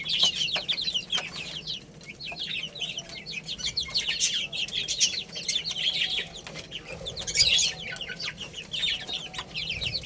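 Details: Chicken chicks playing and eating, a dense flock of high, downslurred peeping chirps overlapping continuously, with scattered sharp clicks and pecking taps beneath.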